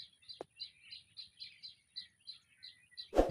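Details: White-breasted waterhen chicks, caught and later set free, calling with short high peeps repeated roughly every third of a second, a sharp click near the start and a loud thump at the end.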